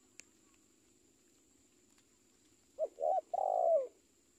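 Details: Spotted dove giving one phrase after a quiet pause: two short, quick coos leading into a longer, fuller coo that drops in pitch as it ends, with a faint constant high-pitched hum behind.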